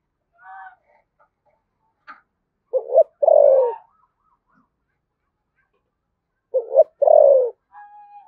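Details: Spotted dove from Đồng Nai, Vietnam, with a 'thổ sấm' thunder-like voice in the 'thúc gù' style: a two-part phrase of a short low coo and a long, deep, throaty coo, repeated after a pause, with softer notes between.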